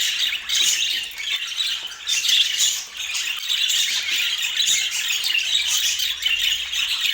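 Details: Lively budgie chatter recorded in Portland, a continuous wash of high squeaky chirps and raspy squawks from several birds.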